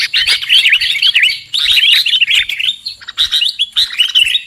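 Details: Lure call of a sooty-headed bulbul for bird trapping, given as quick bursts of lively twittering, warbling notes, each about a second long, separated by short gaps.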